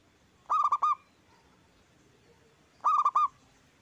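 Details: Local Zebra Dove with a big voice, recorded as a lure for other doves: two resonant three-note coo phrases, the second following about two and a half seconds later, against a quiet background.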